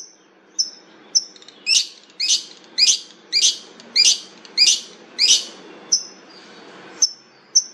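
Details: Long-tailed shrike repeating a harsh, scratchy note about twice a second, about eight times in a row, framed by thin high whistles before and after.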